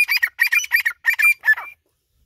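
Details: White partridge giving a short burst of about seven harsh, scratchy, squawking notes in under two seconds, followed by silence.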